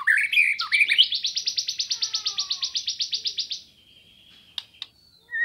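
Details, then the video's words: White-rumped shama of the Sambo type, used as training material for songbirds: a short warble turns into a long, steady series of about twenty buzzy notes, ending in a softer hum and a few sharp clicks. "Suara Burung Murai Batu Sambo Bahan Pancingan Lawan Materi Masteran Gacor"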